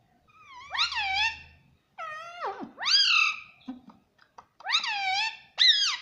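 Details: A pet ringneck parrot speaks "mummy papa" in four loud, rasping, arched syllables with sharp rises and falls, separated by short silences and a low brief thump.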